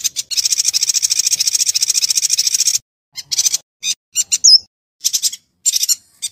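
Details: Yuhina song recorded as training audio for white-rumped shamas: a sustained, fast buzzy trill of about two and a half seconds, then scattered short chirp bursts and a single bright whistled note.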